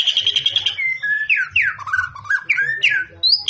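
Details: White-rumped shama (murai batu) of the fighter type, known for varied fighting song styles: a quick run of repeated high chips opens, then a chain of loud sweeping whistles rising and falling, each note distinct and bright.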